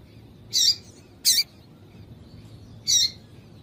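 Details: Yellow-bellied seedeater (Sporophila nigricollis), female call: stimulating males.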